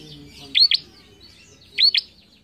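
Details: Singing bar-winged prinia used as a training song for young cage birds; two sharp paired upswept notes about a second apart over faint buzzy background chatter.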